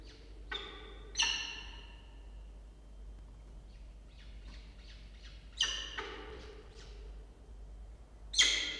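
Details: Peregrine falcon family at a water-tower nest box, Charles Sturt University, Orange, New South Wales, Australia, morning of 8 October 2024, two nestlings present: three separate loud, raspy, harmonic calls spaced several seconds apart, with faint short chirps between.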